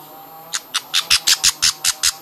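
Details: Baby budgerigars being hand-fed, begging: a rapid series of harsh, raspy squawks, about nine bursts in under two seconds, with faint low thumps from feeding and steady background hiss.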